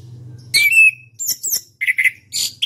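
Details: A national-champion contest orange-headed thrush (Geokichla citrina) sings loud, varied phrases: a harsh burst, a sliding whistle, then a quick run of high chattering notes over a faint low hum.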